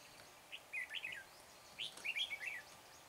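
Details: Red-whiskered bulbul, near Hương Pagoda on 24 March, singing to attract wild birds to a trap; two clear, cheerful warbled phrases of quick up-and-down chirps about a second apart, against quiet outdoor background.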